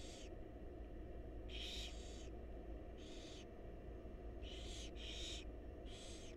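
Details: Barn owl young begging as the mother brings food inside a wild nest box; several loud hissing shrieks, some doubled, rasping across a wide band, with constant low background hum.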